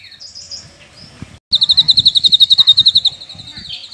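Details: A cucak kinoi bird singing loudly and ringingly: after a few high whistled notes comes a fast, even run of sharp repeated chips, about fifteen in under two seconds, with faint low background noise.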